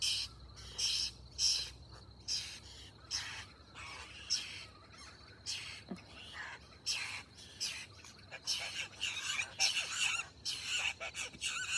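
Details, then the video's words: Young babbler begging for food: rapid harsh, broadband chirping bursts, some in quick clusters, irregularly spaced over the recording, against a faint low background hum. "Baby Babbler Bird"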